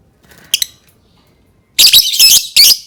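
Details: Lovebird sound for prompting other lovebirds to sing: a soft double chirp, a pause, then three loud, harsh, high squawks in quick succession.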